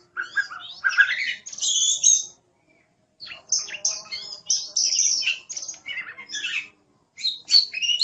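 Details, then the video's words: Kacer or oriental magpie-robin singing varied phrases of whistles, squeaks and rasping notes in several bursts, with a short silent pause midway and a faint low background hum. "Suara Burung Kacer | Gacor"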